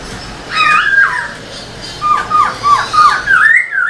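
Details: Caged black-throated laughingthrush singing with tail display to stimulate other birds: a warbled whistled phrase, a pause, then a string of quick dipping whistles ending in a rising slur.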